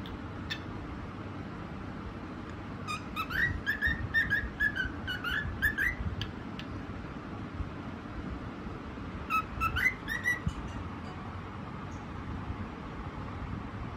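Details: A white cockatiel sings a short phrase of quick sliding whistles, falls silent, then adds a brief rising whistle; a steady low rumbling hum fills the quiet stretches.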